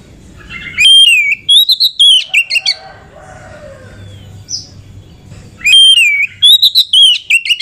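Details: Female Oriental magpie-robin kept as a cage bird, used as a lure to excite males into singing; two bursts of high whistled, slurred notes with sharp chips, separated by a quiet pause of about three seconds with faint low hum.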